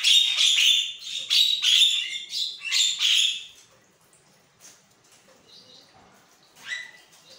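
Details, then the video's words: Javan myna song at morning, used to make caged mynas respond aggressively; four loud rasping bursts about every 1.3 seconds, then faint notes and a brief rising whistle near the end. "pancingan burung jalak kebo 100% nyaut"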